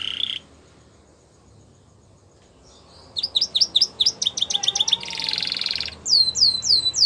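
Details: Gloster canary singing a training song: after a short note and a pause of silence, rapid sharp downslurred chips, a harsh buzzy roll, and finally a run of rising curved whistles.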